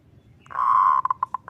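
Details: Zebra dove song in the kerot ngutut kowar style, used as a training and luring recording: one long steady cooing note followed by a quick run of four or five short clipped coos, with faint background hum.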